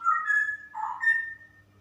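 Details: Female straw-headed bulbul, 'super ropel' song: a clear whistled note that glides up, then a rich gurgling burble, then a bright sustained whistle that fades away.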